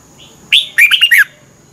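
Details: Red-whiskered bulbul giving one brief morning training phrase: a sharp rising note followed by four quick, liquid, slurred whistles, clean and loud.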